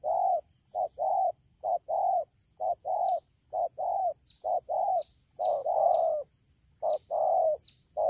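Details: Spotted dove caught wild in the rainy season, Đak Tô, Vietnam, October 2019, delivering a rapid run of mellow low coos paired short and long, around nine pairs in eight seconds, with brief squeaky high chirps between.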